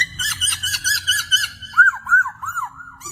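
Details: Bird singing with quick rising-and-falling whistled notes, first in a fast repeated series, then a few slower looping slurred whistles.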